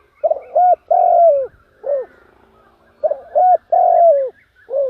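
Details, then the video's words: Spotted dove kept as a lure, cooing to draw in wild doves: a clipped double note leads into a long, falling, mellow coo, then a short coo, and the phrase is repeated. "chim cu mồi gáy gọi bổi"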